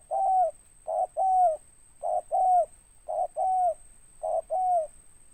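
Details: Spotted dove, a local bird with a big deep voice, repeating a two-note coo, a short hoot then a longer falling one, about once a second in a steady rhythm.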